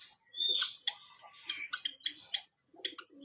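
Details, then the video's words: White-headed munia in energetic song: a string of sharp high chirps and short bright whistles in rapid succession, with a few soft low notes beneath and a brief silence near the end. "KICAU BURUNG EMPRIT PALA PUTIH GACOR"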